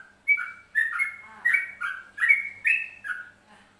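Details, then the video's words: Central Java yellow-vented bulbul in ropelan song: a bubbling series of warbled whistled phrases, each a quick up-and-down slur, delivered about every half second and loud throughout before fading at the end. "Trucuk Jawa Tengah Ropelan"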